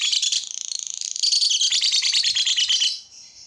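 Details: Lovebird singing, meant to set other lovebirds singing: quick bursts of high chirps, then a rapid buzzy trill, then loud scratchy chatter that fades near the end.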